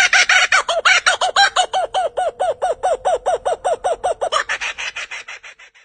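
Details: A kookaburra, native to Australia, gives its laughing call: about twenty rapid, rhythmic hoots, steady at first, then breaking into a harsher cackle and fading away.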